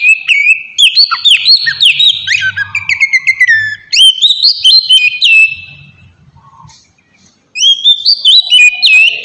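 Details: Oriental magpie-robin song meant to draw a response from untrained magpie-robins. Fast, varied whistles and chatters fill the first six seconds, then a fading lull follows, and a fresh burst of rising whistled notes ends the recording.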